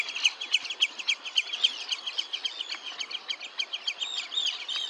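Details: Red-necked Phalarope at Olafsvik, Iceland, on 15 June 2024: a rapid, slightly irregular run of short, sharp, high chirping notes, about three or four per second, with some overlapping twitters.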